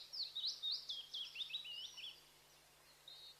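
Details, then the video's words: Quiet, high chirping from a bird: a quick string of thin, sliding tweets for about two seconds, then a short whistle, over a low steady hum. "Birds Chirping Sounds"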